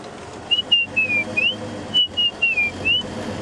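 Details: A male White-browed Scrub Robin, calling close to the road on an April sunset safari drive, sings two quick phrases of clear, slurred rising and falling whistles to advertise his territory, attract females and frighten rivals. A low vehicle rumble runs underneath.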